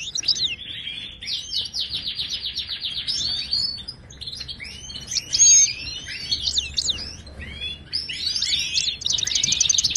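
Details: Moroccan goldfinch song in the wild Ouidani style, played to teach caged goldfinches to sing: a rapid tinkling twitter with quick buzzy trills, ending in a fast high chatter.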